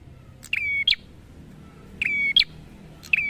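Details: Busy prinia song repeating a phrase of a click, a flat whistle and a sharp high flick, about every one and a half seconds, against faint low background noise.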